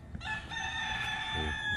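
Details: Rooster at a workplace in Saudi Arabia in the Middle East, its keeper hoping it sounds like a junglefowl: a brief, sustained, harmonic crow note held steady, over background rumble and a short burst of voice.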